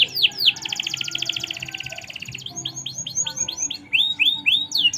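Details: Vocal canary singing merlok song: a couple of swooping notes, a long buzzy rapid trill, then looping downslurred whistles, over a steady background hum and faint other noise.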